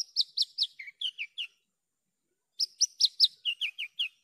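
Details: Javan bush lark repeating a patterned phrase twice: several high sharp downslurred notes, then lower buzzy chirps, each note about a fifth of a second apart, separated by a pause of about one second.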